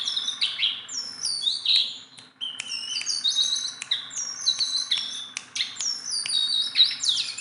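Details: Sunda bulbul, tame enough to handle and singing without pause, pours out a lively stream of high, slurred whistles and quick chirps, with several sharp clicks between phrases.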